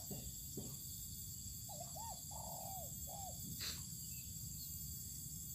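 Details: Spotted dove set out in the sun on open ground, one mellow phrase of two short hooked coos, a long sustained coo dropping at the end, then a brief final coo, with continuous insect drone behind.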